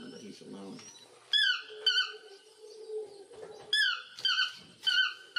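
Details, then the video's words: A toucan gives short, squeaky, downward-slurred notes in loose bursts about a second apart, with a soft low murmur at the start. "Toucan Bird Sound"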